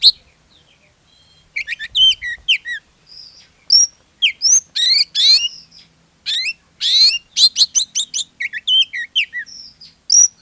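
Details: Oriental magpie-robin song used to draw other magpie-robins into singing: after a quiet start, varied high whistles, rough buzzy bursts and quick chirp series run on steadily, loud and clear.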